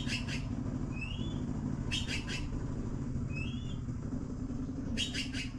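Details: Baby blue magpies begging while awaiting food: harsh rasping notes in clusters of three about every three seconds, separated by brief upslurred whistles, against a steady deep mechanical hum.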